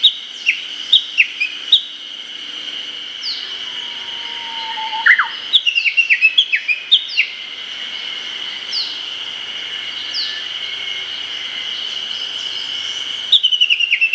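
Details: Japanese bush warbler in early-summer Hokkaido forest: scattered descending chirps, one full song of long low whistle and flourish, then fast runs of sharp repeated notes of the valley-crossing call, under a constant high drone.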